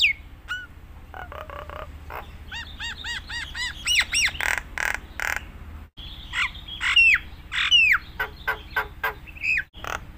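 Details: Nias hill myna in full, varied song used as a master recording to train other mynas: loud whistles, harmonic rising and falling notes in rapid series, sharp clicks and harsh squawks, with a steady low hum beneath.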